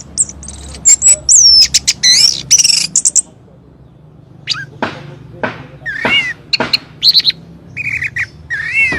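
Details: Orange-headed thrush singing, used as a lure to make other birds answer: fast, varied high whistles and chatter for three seconds, then after a pause scattered sharp notes and rising slurred whistles, with a low background hum.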